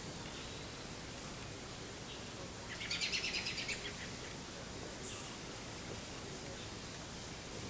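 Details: American goldfinch feeding on sunflower seeds gives one short cluster of quick, high twittering notes against steady outdoor background hiss, then silence.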